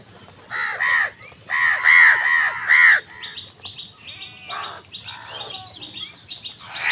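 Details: Crow fighting wild birds for food, giving five loud, harsh, hoarse caws in a quick run over about three seconds, followed by softer scattered calls and a steady twitter of small birds.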